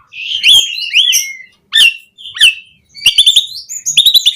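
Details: Asian pied starling song with varied fill phrases for training captive birds: squealing whistles and rising slurs, a pause, sharp single notes, then rapid trilled chattering bursts.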